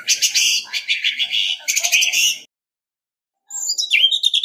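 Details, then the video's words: Orange-headed thrush decoy in singing contest: a long, busy stretch of fast, harsh, high chattering notes, a second of silence, then a sweeter whistled phrase with dropping slurs. "Tiếng chim Hoét lửa mồi hót đấu không tạp âm | Orange-headed Thrush"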